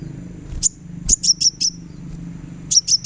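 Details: Sunbird therapy recording to encourage song: high sharp chirps in short clusters over a noisier background with low rumble and faint clatter.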